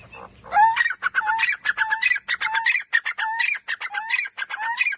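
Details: Francolin calling loudly: a rising whistled note followed by a rapid run of harsh, ringing, repeated notes, each phrase capped by a short upward-sliding whistle, about five phrases in five seconds.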